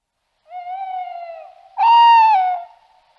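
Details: Tawny owl: two sustained hooted notes with steady pitch, the first softer and slightly sagging, the second louder and fuller, then a brief fading tail.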